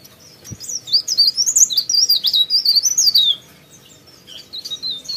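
A Sooty-headed bulbul pours out a quick, high, twittering run of varied chirps and slurred notes for about three seconds, then falls quiet with only faint background hiss.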